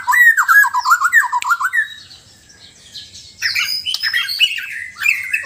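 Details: White-rumped shama from Sabah, Borneo, in a mix of relaxed and loud singing: rich fluty phrases rolling up and down in quick succession, a brief quieter pause, then louder, higher, more varied whistles and sharp notes.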